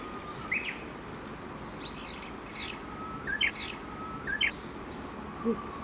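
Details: Japanese bush warblers in a morning feeding gathering of dozens under a chinaberry tree by Gakushima Bridge, Tokushima, Japan; short bright chirps and a brief whistled phrase repeat about once a second, with softer distant notes and steady hiss.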